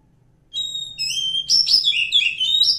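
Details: Loud, clear whistled song of a wild Oriental magpie-robin from forest: long steady notes followed by a rapid flourish of varied sliding whistles.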